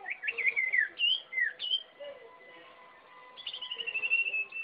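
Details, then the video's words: Sirpu bird in full song: varied whistled phrases with upward flicks and wavering slides, a brief pause, then a fast pulsing high trill, with faint lower tones in the background. "Suara Burung Sirpu Gila"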